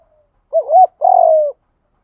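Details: Low spotted dove coo, used to rouse doves into calling: a wavy two-part opening note, a brief gap, then a sustained, slightly vibrating coo lasting about half a second and sloping down at its end.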